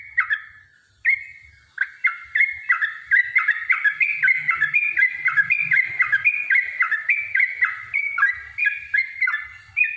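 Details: Provoking fighting song of a yellow-vented bulbul: after two opening notes, an unbroken string of bubbly, stepped whistles, each dropping in pitch, repeated steadily for several seconds over soft low rumbles.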